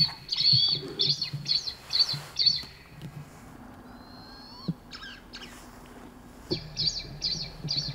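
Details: Wild blood pheasant in the eastern Himalaya giving bursts of thin, high chirping notes, about five a second, with a pause between bursts over a low steady rumble.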